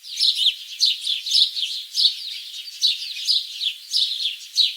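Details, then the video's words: Bird song outdoors: thin, high chirps come in quick clusters about every half second, a steady twittering chorus throughout. "Birds singing"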